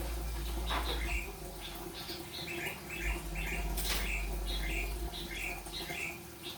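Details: Yellow-vented bulbul practising rolpen-style song, a steady run of quick, bubbly notes repeated several times a second, with a persistent deep hum and a few soft knocks behind.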